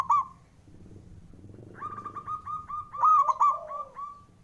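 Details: Male zebra dove of local stock, calling to rouse birds slow to sing: one short coo, then a long run of rapid even pulsing notes that swells into a louder cooing flourish, with overlapping softer coos and a low hum.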